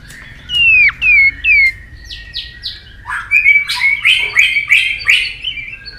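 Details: White-rumped shama singing a fired-up competitive song meant to provoke rivals: three loud, clear whistles that slide downward, a few buzzy notes, then a rapid run of varied chattering phrases.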